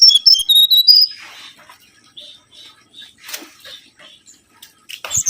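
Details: Mangrove whistler lure recording: rapid string of clear whistled notes falling in pitch over about a second, followed by soft, scattered high notes and a final sharp burst.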